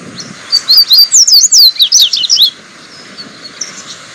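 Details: Seedeater, known locally as papa-capim, singing a quick burst of bright, varied chirps and slurred whistles for about two seconds. The notes are high, rising and falling, and are followed by quieter background sounds.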